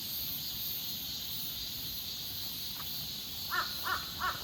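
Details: Bird heard on a daily walk with a dog in Busan on 22 August: three harsh, cawing calls close together near the end, after one faint call, over a steady high insect drone and soft footsteps.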